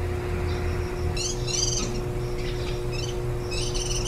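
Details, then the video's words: Warbling white-eye feeding nestlings the day before they leave the nest, 23 July 2018. Short clusters of high harmonic chirps with gaps between them, over a constant mechanical hum and a low rumble. "綠繡眼-青笛仔 育雛 錄音"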